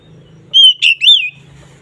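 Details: Oriental magpie-robin singing ngeplong to raise mating drive: one brief phrase of three clear whistled notes, the last rising then falling, over faint low background hum.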